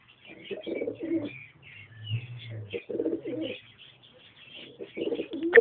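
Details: Pigeons, a pair with a youngster: soft cooing bursts broken by pauses, over a low steady hum and faint high twittering.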